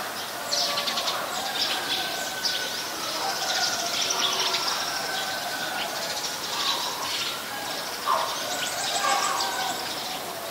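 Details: Eurasian tree sparrow, a resident bird, recorded in Ubon Ratchathani, Thailand, on 10 May 2020: bright, high chirps in short irregular bursts over a steady rural background, with a lower repeated note from another bird near the end.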